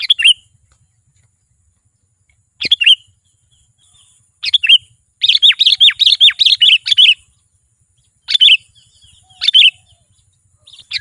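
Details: Sooty-headed bulbul in vigorous song, a recording meant to draw wild birds near: scattered short chirpy phrases, then a rapid run of about fifteen sharp downslurred notes in the middle, followed by more brief liquid phrases spaced a second or two apart.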